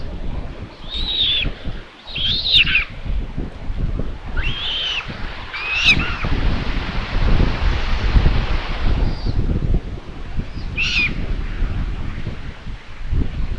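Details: At a common buzzard nest in Tiszalök, Hungary, on 27 May 2022, with prey arriving: scattered short, rising-and-falling squealing mews in bursts, a long quiet gap, then one more cry, with soft wind throughout.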